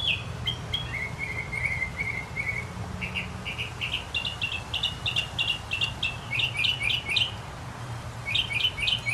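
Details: Northern mockingbird singing in early summer, just before the summer solstice: varied phrases of sharp high notes, each repeated several times in quick succession before switching to a new pattern, over steady low background rumble.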